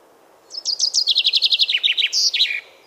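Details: European robin, a male singing in a Polish forest in spring after returning from wintering grounds to attract a mate, often heard even after dusk: a quick, sparkling phrase of high thin notes tumbling downward, then a final shrill flourish, about two seconds.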